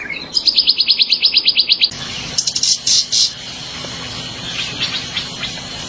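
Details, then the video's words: Purple-throated Euphonia, the Brazilian fim-fim, delivering a quick, even, high-pitched trill of about a dozen notes, then several softer scattered chirps over a faint steady background noise. "DESCUBRa o CANTO HIPNOTIZANTE do FIM FIM"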